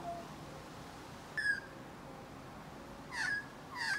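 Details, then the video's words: An Australian magpie sings in spring: three brief, fluting, slightly slurred notes spaced a second or two apart, over a soft steady hiss. "Aussie Magpie Sings"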